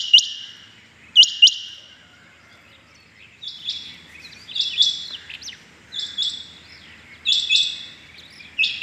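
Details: Rain quail calling the morning of 6 July 2021: two loud, sharp double notes at the start, then a string of softer high phrases after a short pause.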